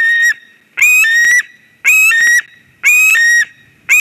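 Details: White-tailed eagle at a nest in Durbe, Latvia, on 13 August 2023, calling as a strange ringed eagle flies in: loud, harmonic yelping notes, each rising then holding level, about one per second, four in succession.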